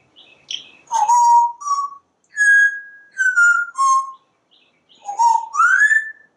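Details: Porch-dwelling pet parrot whistling while it watches squirrels and birds: clear, steady tonal notes, some level, some dipping or rising, in four or five phrases with brief pauses.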